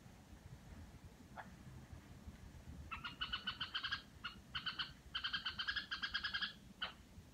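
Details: Red-whiskered bulbul kept at home, giving the rattling 'rò' call: after a lone faint note, bursts of rapid stuttering, buzzy harmonic pulses in short groups separated by brief pauses, ending with a single sharp note; steady low background hum.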